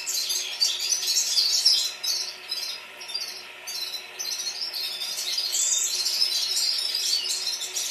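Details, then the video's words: A chorus of red-fronted serins in Baku, Azerbaijan: high, rapid, jingling twitters and trills overlapping continuously, several birds singing at once without pause. "Kрасношапочные вьюрки пение хором"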